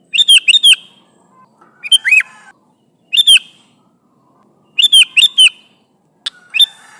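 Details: Lively sooty-headed bulbul calling to its flock mates, lure recording: triple chirp bursts, an arched slurred note and doubled chirps spaced irregularly over seven seconds.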